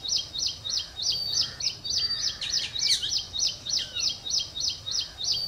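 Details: Ashy prinia song of quick, high, repeated notes about three per second, with a few other faint bird sounds mixed in.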